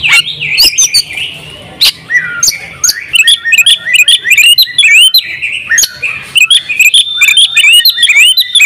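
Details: Champion oriental magpie-robin singing open-beaked in a full, energetic fill-in song for training other birds. The song moves from scattered chips into fast, varied twisting whistles and upswept notes that quicken toward the end.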